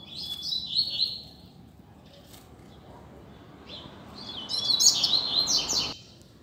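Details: Double-collared seedeater, loose on a street, gives tutor song: a brief high twittering phrase, a quiet gap, then a longer, louder run of sharp chirps and slurred notes, with a steady low hiss behind.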